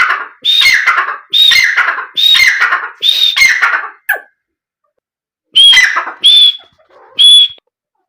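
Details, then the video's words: Black francolin calls used to make the bird call and excite it: a run of four harsh, raspy phrases with whistled starts, a short click, a pause of about one and a half seconds, then three further brief whistled notes. "تیتر کو جلدی بلوانے اور مستی میں لانے والی آواز"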